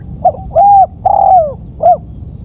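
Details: Spotted dove call used as a lure: a short soft coo, a longer level coo, then a drawn-out coo sliding downward, ending with a brief rounded note. A faint steady high whine runs throughout.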